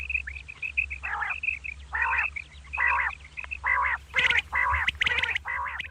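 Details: At dawn a female common quail gives rasping, nasal bursts about once per second in a steady series. Thin high chirps run along the start, and a faint low hum sits beneath.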